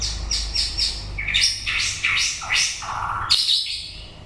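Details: Varied song of a white-rumped shama as its breeding season ends: quick high chips give way to tumbling, rising and falling whistles, ending on a lower sustained note and a crisp click.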